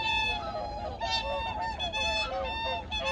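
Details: Early-morning cries of various migratory birds at Changwon's Junam Reservoir, recorded in 2019, heard as a continuous tangle of overlapping honking calls from many birds over a low ambient hum.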